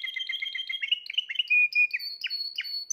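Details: Singing Spanish Timbrado canary, 2020 bird, delivering a rapid series of varied trills. Bubbling rolls lead into a bright, sustained whistled trill, then scattered high chirps and a sweep. The recording is close and clear with no other sounds.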